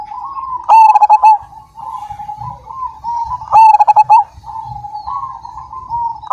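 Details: Zebra dove, Majapahit type, singing persistently: level cooing broken twice by fast bursts of loud, stuttered ringing notes, with soft low rumbling throughout.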